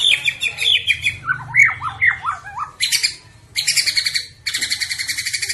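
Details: Competition white-rumped shama from Bahorok, a President Cup contender, delivering a varied song: clear slurred whistles, then a run of looping notes and harsh buzzy rattling bursts repeated rapidly.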